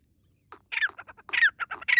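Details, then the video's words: A francolin, or partridge, jumping about in a forest gives a fast run of harsh, grating squawks, rough notes close together with a few sharper squeals, over a quiet outdoor background. "The partridge happily jumps and makes noise in the forest"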